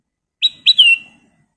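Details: Sooty-headed bulbul, called kutilang emas, in lively full song: a short clear phrase of two sharp whistled notes followed by a longer bright note that slides gently downward, with silence around it.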